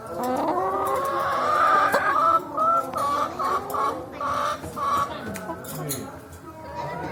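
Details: Chickens riding in a car ahead of slaughter: a loud drawn-out squawk rises, then a run of short, choppy clucks repeated about twice a second, with other birds calling underneath.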